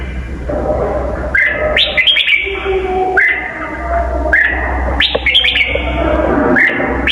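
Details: Red-whiskered bulbul with a very twisting song: clear, downslurred whistled phrases at irregular intervals, some run together, over a constant low hum and a hissy background.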